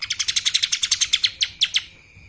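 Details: Lesser green leafbird giving kapas tembak-style phrases: a quick rhythmic series of high chirps, slowing at the end into three separate downslurred notes.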